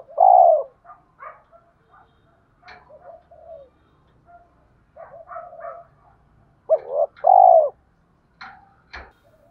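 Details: Spotted dove cooing to draw wild rivals to a fight, in the 'giọng thổ' singing style. A loud hoarse note opens, followed by quiet muttering notes, then a stronger coo phrase near the end, with faint clicks.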